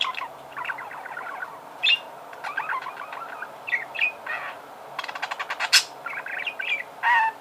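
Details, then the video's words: Budgerigar song: rambling chatter of short buzzy notes and clicks, with a few louder squeaks and a rapid series of ticking pulses near the end. "Пение волнистого попугая"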